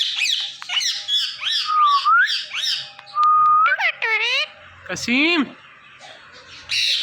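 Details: Indian ringneck parakeets, a pet male and female pair, making morning sounds indoors: quick high chattering squawks, rising whistles, a steady whistled tone, then harsh descending screeches and a final loud squawk.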